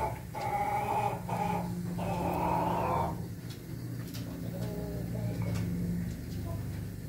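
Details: Ayam Ketawa chicken crowing on 20 May 2024. Several short broken notes lead into a steadier, drawn-out tone lasting about a second. A low hum and room noise continue beneath.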